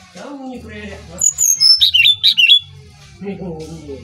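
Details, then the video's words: Brown-chested jungle flycatcher from Bali singing for a lure recording: a series of high descending whistles and twisted warbled notes, with low murmuring voices before and after. "Burung Sikatan Rimba Dada Coklat Bali Gacor Nyuling Untuk Pancingan SRDC"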